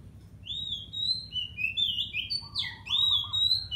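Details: Oriental magpie-robin during taming, singing a rich continuous phrase of sweet slurred whistles, rising and falling notes and a short trilled passage, loud and unbroken for nearly four seconds against quiet low hum.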